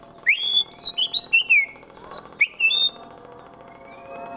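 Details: White-rumped shama in Wonosobo, Central Java, singing harsh 'tembakan' phrases used to provoke fighting rivals: loud ringing whistled notes sweeping up and down in quick succession, a pause, then two more bright whistles and a faint trailing tone.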